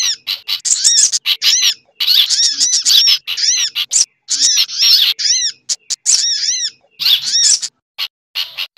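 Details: Busy sunbird lure recording mixed with kutilang and similar birds; fast clusters of bright, down-curving chirps and sharp ticks, arriving in uneven bursts with short silences.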